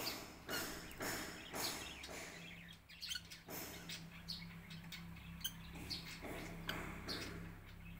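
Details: Lovebirds in a home garden aviary with a pond, queueing for food as corn is brought, give sharp overlapping chirps in clustered bursts, busy and noisy, with a steady low hum underneath.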